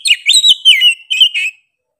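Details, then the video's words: Oriental magpie-robin (kacer) singing loudly, rich whistled phrases sliding up and down with scratchy overtones, several linked notes within a second and a half, background otherwise silent. "KACER GACOR NGOTOT PEDES SUARA NYA GA DA AMPOON"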